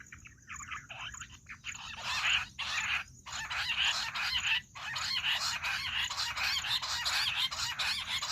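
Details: Jungle bush quail calls, a recording used for quail hunting: after a quiet start, a dense, harsh chattering chorus of overlapping rapid notes runs without a break, with a faint steady high whine underneath.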